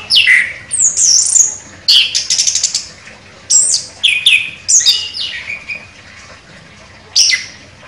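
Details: Champion orange-headed thrush in sharp, powerful song: loud descending whistles, high squeaky notes and brief rattling bursts in quick separate phrases, ending with one last shrill note after a short gap.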